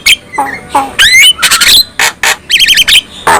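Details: Black-winged myna song said to provoke other black-winged mynas: harsh squawks, low descending notes, a wavering warble and short noisy bursts.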